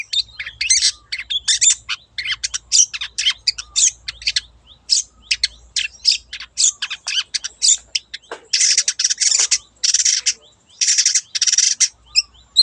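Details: Wild long-tailed shrike in full lively song for luring: fast run of varied chattering and twittering notes, ending in a string of loud, harsh, grating screeches.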